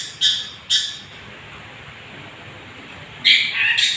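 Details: Young long-tailed shrike singing, used as a lure to provoke other birds: harsh, squawky bursts, two short rasping notes then a longer scratchy chattering phrase, over steady background hiss.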